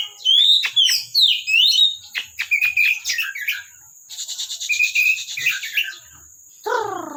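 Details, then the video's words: Oriental magpie-robin (kacer) kept in a collection, singing vigorously: rich whistled phrases, rapid rising and falling notes, buzzy trilled runs, and a harsh descending burst near the end, over a steady high-pitched background hiss. "KACER GACOR"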